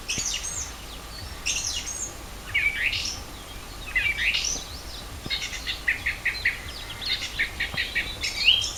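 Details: A chorus of wild birds in early spring, 4 April 2010, at Rogozyanske Reservoir, Kharkiv region. High chirps, quick upward sweeps and brief trills from several singers overlap throughout.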